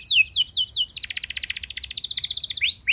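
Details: Canary song played to get other canaries singing: four quick descending whistles, then a long fast rattling trill of tiny repeated notes, closing with two sharp upward sweeps.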